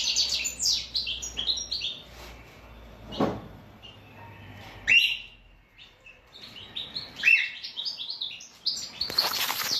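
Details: European goldfinch, offered cucumber, gives short bursts of quick twittering and trilled phrases separated by pauses, with a sharp knock and a few handling noises in between.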